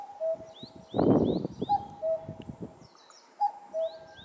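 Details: Common cuckoo in the highlands in May 2024, giving its falling two-note cuck-oo about every two seconds, with thin high chirps from small birds and a brief rustling gust.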